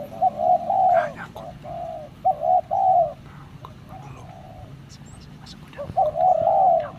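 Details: Spotted dove cooing in mellow, low hoots: a quick series of short coos, a pause, then another soft paired coo near the end, with faint distant chirps behind.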